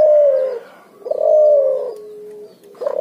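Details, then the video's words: Cuhu, bred from puter and spotted dove, calling in ngoar nguku style: two falling, husky coos with a steady low hum after the second. "suara burung cuhu gacor ngoar nguku hasil silang puterxtekukur"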